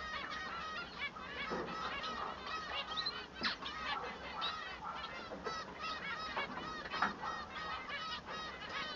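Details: Male Bengalese finch in song: long rapid sequence of buzzy, nasal harmonic notes with chattering trills and a few sharp clicks, steady in loudness throughout.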